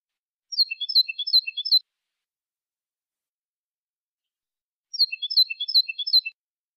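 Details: European goldfinch singing in the copia malaga style, an edited recording for teaching young birds to sing: two bursts of rapid high twittering notes, each about 1.3 seconds, separated by three seconds of silence, with no background noise.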